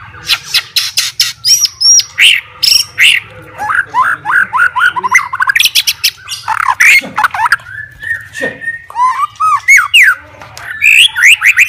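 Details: White-rumped shama, a fighter bird singing to challenge and provoke rival shamas, pours out a long varied song: sharp repeated notes, rising slurred whistles, rapid trills and harsh chatters, over a steady low hum.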